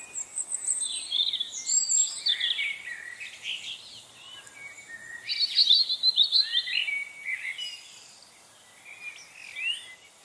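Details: Flurry of chickadee calls from a frenzy of birds on 25 November 2020: high twittering notes and quick slurred whistles in loud rapid bursts, a dense run near the middle, then quieter scattered chirps.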